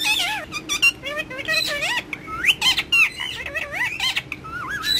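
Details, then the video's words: Rose-ringed parakeet at play, speaking Urdu and Hindi words to a mobile phone: rapid strings of wavy, speech-like syllables, some rising steeply, with brief harsh squawks between them. "Gorgeous Ringneck Having Fun And Talking With Mobile In Urdu Hindi"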